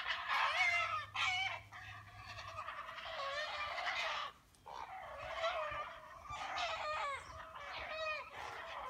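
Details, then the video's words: Hungry heron chicks being fed by a parent beg noisily with harsh, rasping, chattering calls that overlap in a continuous clamour, with a brief pause near the middle. "Heron Hungry Sounds"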